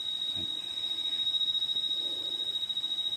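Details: A constant high electronic whine sits over a faint, fluttering background hum, with no animal calls.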